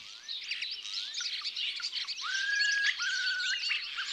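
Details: Common starling song: a dense chatter of clicks and squeaky notes, cut through by rising slurred whistles and long, flat, steady whistled tones held for about half a second each.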